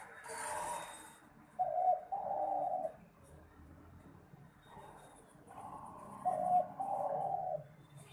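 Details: Spotted dove song prized for song competitions: soft low cooing phrases, a paired coo then a longer hoarse note, repeated twice with quiet gaps and faint background noise.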